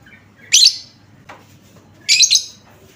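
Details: Lure sound of a lovebird for prompting other lovebirds to reply: a shrill buzzy chirp, a brief faint squeak, then a second double-pulsed harsh chirp, with quiet background hum.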